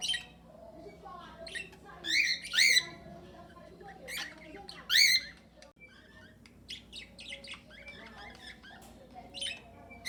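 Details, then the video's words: Several cockatiels kept together in an aviary alongside budgerigars give repeated loud warbled squawks with wavering pitch, interspersed with quieter chirps and background chatter from the flock. "Calopsitas cantando e assobiando"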